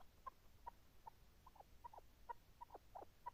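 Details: Chukar partridge calling: a steady series of short, mid-pitched clucking notes about three per second, with faint background hiss.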